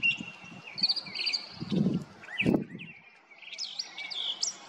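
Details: Brown thrasher singing a Mother's Day serenade on May 8, 2022: a run of varied high phrases, quick chirps and short slurred whistles, some held notes, broken by a brief pause, with low thumping noise near the middle.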